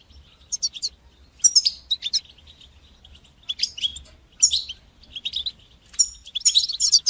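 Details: European goldfinch singing batbata and sastasa motifs to coach young goldfinches: separate sparkling bursts of buzzy, high twitters about once a second, with quiet gaps between them.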